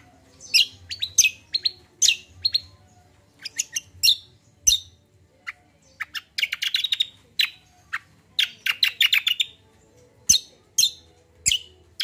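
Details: Long lively common iora song, meant to provoke untrained birds: a varied chain of sharp chirps and slurred notes, with two dense buzzy chattering bursts midway, pauses between phrases, and a low hum beneath.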